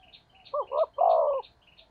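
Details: Spotted dove decoy call in thổ đồng style: two quick coos and a long falling coo, while a small bird chirps high, rapid repeated notes behind.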